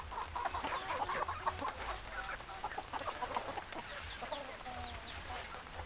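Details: Clucking from a group of chickens: rapid, irregular short clucks piling over each other, loudest in the first half, fading slightly, with a low mechanical hum underneath.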